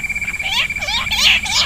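A bush quail gives quick, squeaky whistled notes that rise and fall, about three a second, over a steady high-pitched whine in the background.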